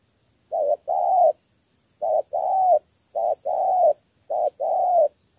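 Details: Vietnamese spotted dove from Cà Mau in a three-note cooing style for luring wild birds. Four clear phrases are heard, each a brief coo followed by a longer, slightly wavering one, spaced about a second apart.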